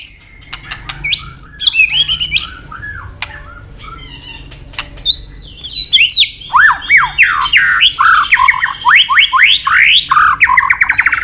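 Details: White-rumped shama, Medan type, singing vigorously with complete fillers, used to stir other shamas into song: high whistled swoops and clicks, then a fast, steady run of loud downslurred whistles repeated several times a second.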